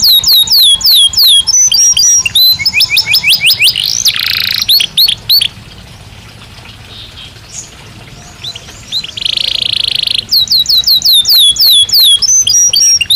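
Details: Belgian canary singing naturally, bright downward-slurred whistles and buzzy bursts, then a quiet stretch of several seconds before a loud buzz and renewed rapid sweeping phrases.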